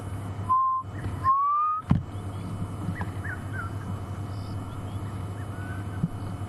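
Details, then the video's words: Black cuckoo, very vocal here, heard faintly at night near a water hole on a safari drive, Sabi Sands, 6 November 2015: two mournful whistled notes, each sliding slightly upward, over a steady low engine rumble and a few faint chirps. "you can hear the black cuckoo now"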